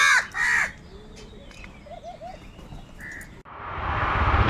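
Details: Hungry crows feeding together and fighting over food: two loud, harsh caws open the recording, then faint calls and a swelling rush of noise.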